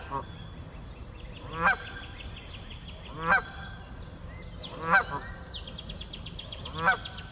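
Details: Geese honking as they fly, four loud harmonic honks spaced roughly every one and a half seconds, with thin descending whistled notes of small birds in the background.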